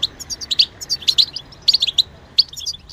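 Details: Fast, tinkling chatter from a European goldfinch, a songbird credited with copying other species, with dense high chirps packed into rapid phrases and only brief breaks.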